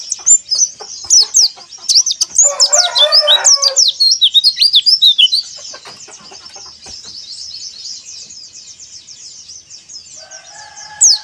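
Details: Caged white-eye song meant to set other caged white-eyes singing: a rapid, busy run of high chirps and downslurred twitters that bursts at first, then thins to a steady high trill with a lower tone near the end.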